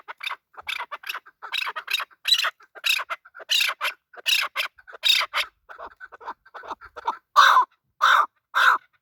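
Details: Male chakor (chukar partridge), a desi local bird, giving a long run of harsh, clucking chuk notes roughly every half second. The notes grow louder and broader toward the end, with no other sounds behind them.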